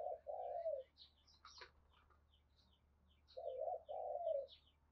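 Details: Spotted dove male provoking a rival with soft, distant cooing: two phrases of paired low coos. Faint high chirps from other birds throughout, a brief click near mid-clip, and a steady low hum.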